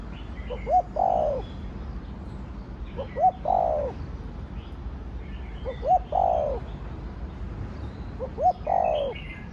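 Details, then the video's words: Spotted dove, called cu gáy or cu đất, giving its Thổ Đồng-voiced crow four times: a pair of short hooting notes followed by a long, husky, falling coo, about every two and a half seconds, over soft background bird chatter. "Cu gáy giọng Thổ Đồng Thúc, Gù kích bổi nhanh nổi/ tiếng chim cu gáy giọng thổ đồng gáy, cu đất gáy"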